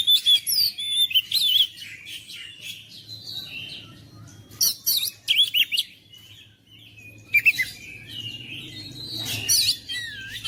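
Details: Oriental magpie-robin singing to provoke a silent, lazy bird into steady song: loud bursts of varied chirps, slurs and whistles in three bouts, with quieter gaps and faint low noise between.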